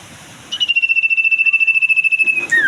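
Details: Common iora in breeding condition, singing a sustained high whistle made of fast regular pulses for about two seconds, finishing with a quick descending sweep.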